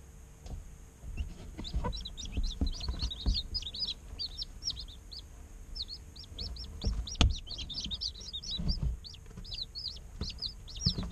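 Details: Day-old chicken chicks, a brood kept in an incubator, chirping constantly: dense overlapping high peeps, many arching down, from several birds at once, with soft low thumps and rustling beneath.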